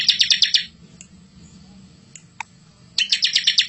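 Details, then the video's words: Bar-winged prinia rolling song used as material for young birds: a short fast trill, about two seconds of near quiet with a couple of faint clicks, then another quick rattling trill, with a low background hum. "masteran ciblek super gacor full isian ngerol cocok buat pancing ciblek muda atau bahan."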